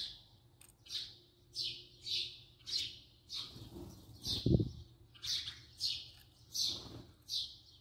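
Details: Close-range house sparrow chirping in a regular series of bright, clipped notes about every half second, one dull thump midway, over a soft low hum.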